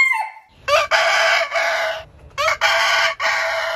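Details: Rooster crowing from a heritage-breed compilation: a brief falling note, then two loud, harsh, broad crows split into stuttered segments with brief breaks.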